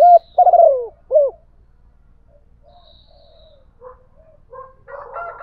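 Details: Decoy spotted dove cooing to challenge a wild rival: two quick deep coo notes at the start, then near silence with soft, distant cooing and a brief higher call at the close.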